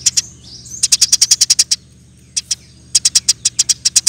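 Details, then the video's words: Vigorous Eurasian tree sparrow chatter for training other birds: a fast run of about ten bright clipped chirps, a pause, two single notes, then another rapid string, with a background low hum. "Burung gereja gacor nembak rapet full alasan"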